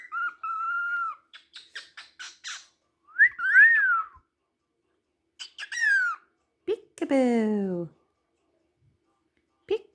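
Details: A 6-month-old male cockatiel sings a string of clear whistles, some held level, others swooping up and down, between short chirps.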